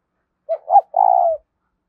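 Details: One spotted dove cooing phrase in the THÚC style used as a lure for wild doves: two brief notes then a sustained, trembling coo.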